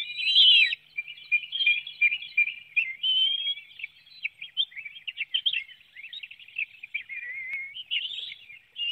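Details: Nest webcam in Hanover, Pennsylvania, 9 June 2019, early morning: an adult bald eagle brings a small fish and feeds young. A shrill whistled note opens a run of fast, high, stuttering chirps that continues almost without pause.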